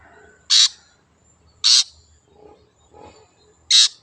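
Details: Wild long-tailed shrike as a lure sound: three harsh, scratchy screeches at uneven gaps, with softer low notes from elsewhere between them.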